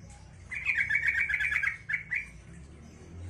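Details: Yellow-vented bulbul singing to provoke neighbouring bulbuls into answering: a rapid, bubbling chatter of repeated notes for about a second and a half, followed by two brief notes, with a low hum behind.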